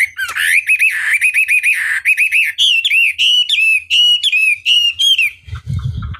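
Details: Chinese hwamei tutor song for provoking rival birds: quick repeated looping whistles in a fast rhythm, then clear slurred phrases, ending with a low rumble.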